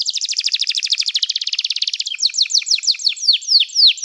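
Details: Canary singing, used for song training: a fast buzzy trill of rapid notes around 4–8k runs for two seconds, then gives way to slower repeated downslurred whistles, about three per second.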